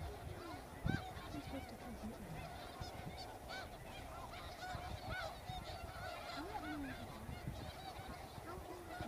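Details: A large flock of snow geese in a wheat field in Arkansas in February keeps up a dense, continuous chorus of nasal, yelping honks, many birds calling over one another with no pause.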